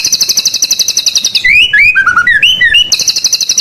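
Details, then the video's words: Energetic white-rumped shama song played at home as a lure for other birds: rapid buzzy trills near the top of the range, then a run of varied whistled, slurred notes, before the fast buzzing returns. "GACORRR MURAI BATU FULL ISIAN UNTUK PANCINGAN BURUNG DIRUMAH || SUARA MURAI BATU GACOR BIKIN EMOSI"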